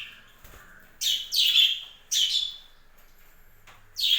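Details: Captive budgerigars in a home breeding flock give four loud, sharp chirps, each sliding downward, spaced about a second apart over a faint low hum.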